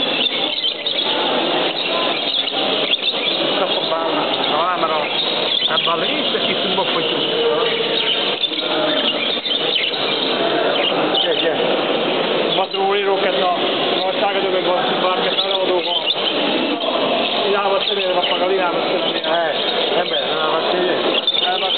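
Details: Many exhibition budgerigars at a 2010 regional show in Pagani, Campania, Italy, fill the air with continuous warbling, chirping chatter and squeaky notes.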